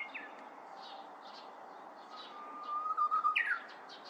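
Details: Korean bush warbler flitting restlessly about in bamboo; a long, level, low whistle held for over two seconds ends in a loud, quick, rising and falling flourish, with faint high chirps of other birds behind.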